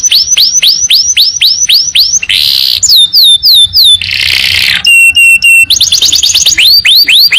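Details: Canary training song in the long-burst style: fast series of rising-falling whistled sweeps, then a harsh buzzy block, clear pure whistles, a steady held tone and more rapid sweeping trills, all loud and high-pitched.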